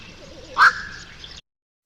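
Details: A black-crowned night heron, which calls by day or night, gives one short, harsh barking squawk, a single loud "quok", over faint background hiss.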